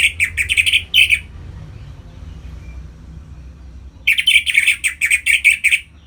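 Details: ['Orange-headed thrush song played to stimulate captive birds into breeding condition: loud, rich bursts of rapid whistled and twittering phrases, one lasting just over a second at the start and another running about two seconds at the end, separated by a quiet gap.']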